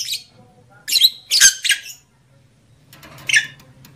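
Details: Lovebird squawks meant to excite males and bring females into breeding condition: a few rough, squeaky bursts clustered early, then a quieter chirp after a pause, with faint low hum.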